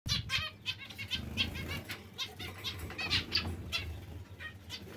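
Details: Zebra finches giving short nasal, harmonic-rich calls in quick irregular succession, several notes overlapping, over a steady low hum and soft wing flutters.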